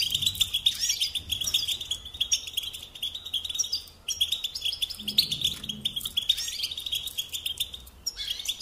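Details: Goldfinch tutoring song for young birds, European goldfinch twittering in long, fast, jangling phrases broken by short pauses, with a soft low knocking sound midway.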